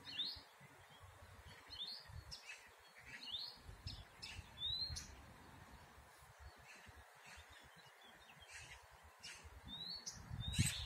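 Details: Blyth's reed warbler singing at Górki Czechowskie, Lublin, Poland, on 26 May 2019: unhurried phrases of clicks and slurred, rising whistles, each repeated a few times, over a steady low rumble.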